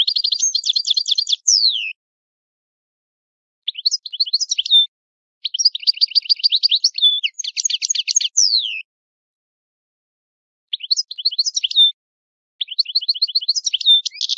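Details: Italian European goldfinch singing an old-style song: bursts of rapid twittering and buzzy trills around four kilohertz, with quick downward slurs, broken by short silences between phrases.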